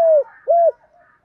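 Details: Lure call of a spotted dove meant to attract other doves: two deep, hollow coos, the first falling and the second arched and longer, followed by a faint trailing murmur.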